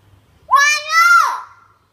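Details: Hill myna learning words: a single sustained, speech-like call with a nasal, harmonic tone, rising slightly then falling away, quiet surroundings.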